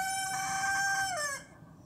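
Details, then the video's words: A rooster holds a strong, steady, nasal crow that slides downward at the end and fades out, followed by near silence. "Rooster crowing / Gallo cantando"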